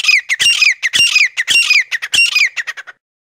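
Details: Forest quail lure call for attracting wild quail: harsh, squawking notes with a bright, ringing edge, given in quick rhythmic bursts about twice a second, stopping abruptly near the end.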